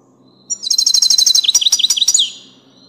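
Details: European goldfinch of the subspecies parva singing: a bright, high, rapid twittering run of tinkling notes, then a few liquid downslurred chirps, lasting about two seconds against a quiet background.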